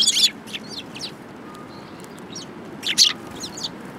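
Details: Sparrows gathering at food at a Tenman-gu shrine on 22 January 2018. Sharp, high chirps come in short bursts at the start and again near the end, with softer scattered chirps between them over a quiet background.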